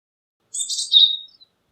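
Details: Japanese tit calling: a single short buzzy, rasping note high in pitch that slides into a brief clearer whistled tail, lasting under a second against a silent background.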